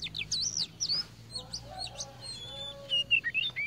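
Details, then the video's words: A tame, well-singing Oriental magpie-robin sings a quick, varied run of high, sweet whistles and slurred notes, with a faint low hum and a lower drawn-out tone behind. "KACER POCI JINAK GACOR"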